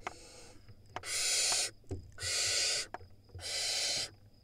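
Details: Nestling barn owls at a wild nest in Israel scream at the sibling that reached the entrance. Three broad, breathy screeches, each close to a second, follow a softer one, with small knocks in the gaps.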